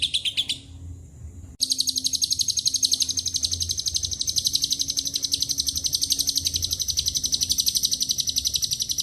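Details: A lovebird singing long ngekek chatter with mixed-in cililin and canary phrases; a short burst of notes, a brief pause, then a sustained, very high, buzzy rattle of rapid pulses that never breaks.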